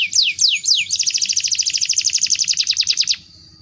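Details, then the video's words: Canary in full, lively song, used as a lure: three quick, loud, descending whistled sweeps, then a fast, bright trill of buzzy repeated notes lasting about two seconds, over faint low background noise. "Burung Kenari Gacor durasi panjang, pemikat"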